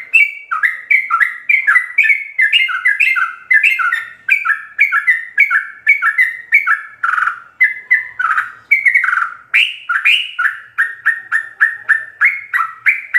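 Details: Sooty-headed bulbul (trucuk) song with full fill-ins, used as a master recording to train captive birds: a long run of bubbly, fluty two-note phrases falling and rising, repeated rapidly without pause.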